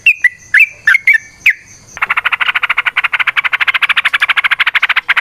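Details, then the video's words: Yellow-vented bulbul in lively, combative song with long rapid trills, played to lure other bulbuls into answering: a few sharp, slurred whistled notes, then a fast, even buzzy rattle of about ten notes a second running to the end. "TRUCUKAN GACOR TARUNG ROPEL PANJANG Pancingan trucukan Agar Bunyi Jadikan Burung Trucuk Gacor Nyaut"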